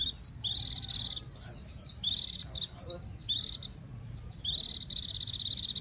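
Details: Loud, nearly continuous Japanese white-eye song of high, fast zigzagging twitters and buzzy trills, broken by one short pause before a final rattling, buzzy phrase.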